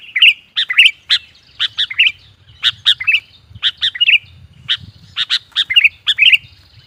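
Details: Sooty-headed bulbul used as a lure to excite wild birds, delivering a lively run of sharp, liquid whistled notes in rapid repeated pairs and triplets over a faint low rumble in the background.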